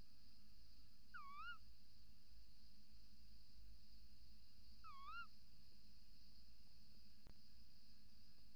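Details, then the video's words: Female tawny owl calling from the nest entrance hole before dawn on 28 December 2018, 05:43, as a male calls outside: two wavy, rising-and-falling ‘kewick’-type notes a few seconds apart over steady background hum. "V roept in vlieggat/op de cam, M roept buiten"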